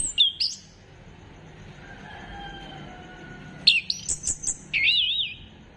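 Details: Orange-headed thrush phrases played to get birds singing, 15 December 2025: a brief whistle, a long quiet stretch with faint thin tones, then sharp notes and a warbling, wavering whistle.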